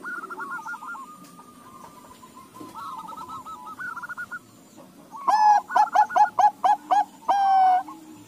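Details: Several zebra doves of Bangkok and local cross breeding call back and forth; soft distant rolling coo trills come first, then a close bird bursts into a rapid series of hollow, bouncing coos ending in a drawn-out note.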